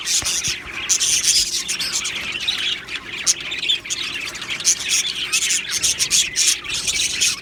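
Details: Budgerigar colony in an aviary, described as happy, keeping up a constant mix of chirps, scratchy squawks and rapid warbling from many birds at once, loud bursts rising and falling over a steady chattering bed.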